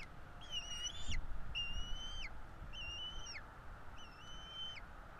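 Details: Bald eagle chicks being fed at a nest in Florida, 05/04/2022: four drawn-out whistled notes, flat and slightly falling at the end, about one per second over low rumbling background noise.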